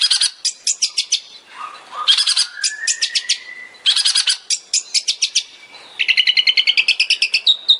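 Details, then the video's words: Long-tailed shrike (cendet) song: rapid bursts of sharp, ticking high notes, slurred rising whistles, and a fast chattering run of repeated squeaky phrases. "CENDET SPESIALIS TEMBAKAN"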